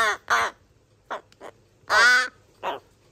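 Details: Rescued crow chicks, three siblings in their 26th–27th day of care, begging at feeding time in July 2022. A few brief raspy squawks and softer clipped notes lead up to one loud, drawn-out grating caw.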